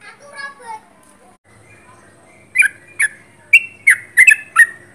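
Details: Sooty-headed bulbul heard close up after a stretch of softer lower chatter: six loud, sharp whistled notes in the final half, some doubled, with slurred up-and-down inflections.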